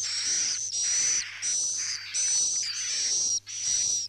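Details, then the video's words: Swiftlet lure sound played by farmers to make birds roost in the building: long, harsh, very high buzzing bursts with a fine whistled edge. Short gaps separate the bursts, over a steady low electrical hum. "Suara Inap Anti Galau 2020"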